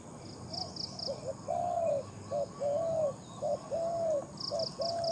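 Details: Spotted dove, a captive decoy bird with a big voice, calling during decoy luring; a clear run of low mellow coos, short notes followed by longer drawn-out arched ones, repeated in a rhythmic phrase, with high twittering from another bird.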